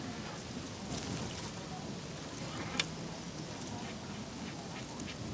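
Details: Steady rain-like hiss and wind rumble with one sharp click partway through, and no animal voice.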